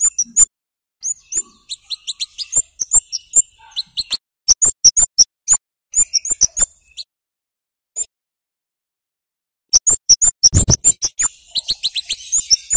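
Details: Energetic flowerpecker song used as a lure so young birds start singing: rapid runs of sharp, very high 'cit' notes and thin ticks, a near-silent gap mid-way, then a dull low thump before the chirping resumes.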